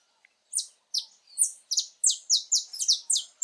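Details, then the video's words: Saffron finch singing free in its natural habitat: a lively string of bright, sharp, downslurred chips, quickening into a rapid run of about three notes per second. "Canário da terra com lindo canto cantando muito na natureza"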